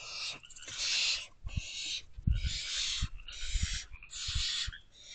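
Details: Inside a barn owl box at 11:58 pm in mid-May 2023, the male arrives with food for the owlets; a series of noisy, breathy screeches alternates with knocking and shuffling thuds from the birds moving.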